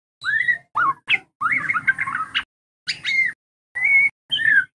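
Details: White-rumped shama song used as a lure for young moulting birds to learn a varied repertoire: slurred rising whistles, a dense rapid warbling run, then separate clear whistled notes with short pauses, over a soft low hum.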